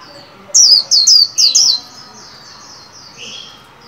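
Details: Líu song from a caged white-eye trained for the 2021 new year: four loud, high, downslurred whistles in quick succession, then softer trailing notes fading out.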